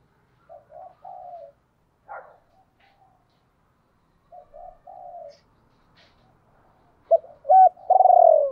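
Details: Spotted dove decoy bird giving soft, muffled low coos in two short bursts, then breaking into a loud 'hai hậu' phrase at the end: a double hoot followed by a long rolling downward coo.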